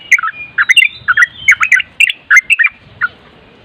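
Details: Nropel-style sooty-headed bulbul song used as training material to make other birds reply: quick runs of bubbling, slurred chirps in short bursts, a brief pause before a last lone note, faint low background rumble.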